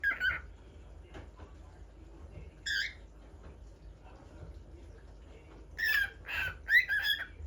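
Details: A bulbul (pepper bird) singing in a new spot gives short, scratchy, chattering phrases mixed with brief whistled notes, in separate bursts with a pause in the middle, over a low background hum.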